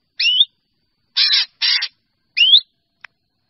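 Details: A drongo summons its flock with an upward-sliding whistle, two harsh buzzy notes and another rising whistle, followed by a faint click.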